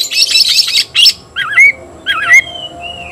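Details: White-rumped shama calling an opponent to fight: harsh high chatter, then twice a looping, warbled phrase ending in a clear, rising whistle, with a thin sustained whistle at the end.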